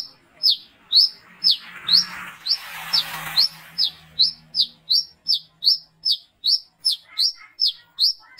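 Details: Brown-throated sunbird calling at night, recorded to attract others: a long steady series of sharp high chirps, roughly two to three per second, with a passing wash of noise near the start.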